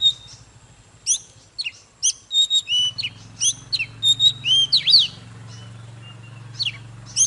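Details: Chòe than, the Oriental magpie-robin, singing clear whistled notes and quick slurs, some descending, others looping, delivered in short bursts with pauses, over a low steady droning hum.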